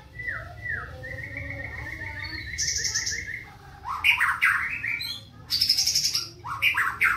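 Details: Black-tailed white-rumped shama from Indonesia, fast rough-toned fighting song with tree sparrow imitations: a few falling whistles, then a rapid even trill, then loud varied bursts of harsh, buzzy, chattering notes over a low background hum.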